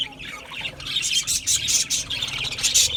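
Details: Budgie parrots giving quick high chirps and squawky bursts, starting softer and building into a busy chatter of several birds.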